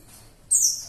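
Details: Warbling white-eye (pleci) giving a single sharp, very high note that slides downward, a bright piercing shot after a half-second of quiet background hiss.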